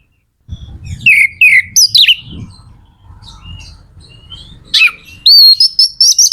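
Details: Kacer magpie-robin singing to rouse other kacer: downslurred whistles and rough notes over a low background rumble, ending in a quick run of high, even whistled notes.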